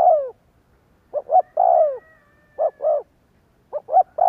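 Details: Spotted dove coos used to provoke doves into calling. Deep hollow notes come in clusters: a falling drawn-out coo, then paired short coos, repeating.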